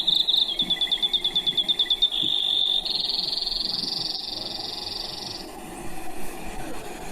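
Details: Brewer's Sparrow long song, sung at the height of breeding: high trills strung one after another on different pitches, going up and down the scale, mostly too fast to count, with wind noise and sage sparrows in the background.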